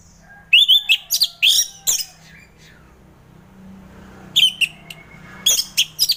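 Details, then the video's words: Orange-headed thrush song meant to prompt lazy caged thrushes to sing in the morning; loud bursts of sharp, slurred whistled notes in quick runs, a quiet pause with low hum, then another rapid whistled burst. "Kicauan Anis Merah || Ngeplong Santai"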